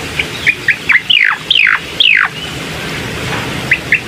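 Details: Bar-winged prinia song for prompting a lazy singer: a few short chirps, then three loud, long sweeping notes falling steeply in pitch, followed by quiet and two final chirps.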